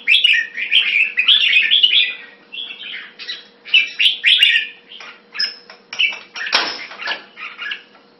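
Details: Jambul (red-whiskered bulbul) kept as a hobby bird, singing quick chattering warbles at first, then spaced chirpy notes, with one brief clattering noise midway.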